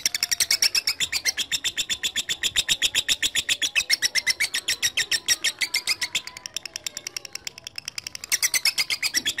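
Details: Lovebird calling a rival, used as a lure to prompt long chattering: a fast, buzzy chatter of sharp notes, about four per second, running continuously with a brief dip near the end before resuming, in a small room.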